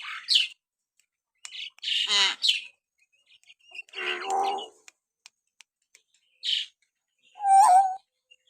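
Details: Common hill myna sounds used to stir pet mynas into singing: scratchy chattering bursts, nasal rasping calls, and a final sharp squeaky note, separated by short pauses with faint clicks.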